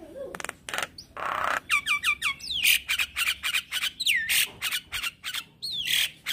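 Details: Black-winged starling singing energetically with head-nodding: harsh broadband rasping bursts mixed with clear whistled notes, some falling, some in quick doubled pairs, delivered in a rapid, steady stream.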